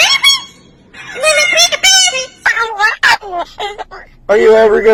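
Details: A talking blue-and-gold macaw gives short, loud bursts of speech-like phrases with harsh, nasal, rising and falling tones, separated by brief pauses; the owner says it is screaming, trying to get snacks.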